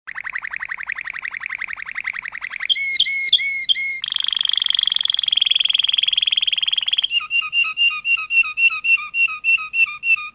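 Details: Malinois canary song moving through tours: a rapid low rolling trill, a few warbled whistles, a dense high fast roll, then slower repeated whistled notes in rhythmic pairs.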